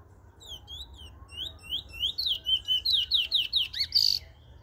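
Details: Bullfinch in Trinidad: a fast series of clear whistled notes, each a quick slurred up-and-down sweep, that grows louder and speeds up into sharper, buzzier notes, ending in a harsh burst.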